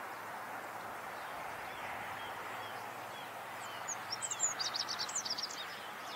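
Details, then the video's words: Rock bunting song from the Moselle valley, Germany: after several quiet seconds of broad background hiss, a brief rapid phrase of high, squeaky, scratchy notes rings out. "Rock Bunting sings. Zippammer singt."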